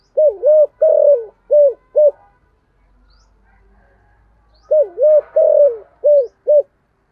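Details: Spotted dove of the 'giọng thổ' voice style, a lure bird calling eagerly each day. Two mellow cooing phrases of about five notes each, including one longer slurred coo, are separated by a silent gap of roughly two seconds.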